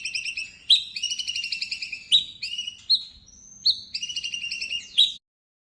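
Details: Caged white-rumped shama singing to provoke other shamas: rapid rattling trills at high pitch broken by sharp upward notes about every second, with a short clean whistle near the middle.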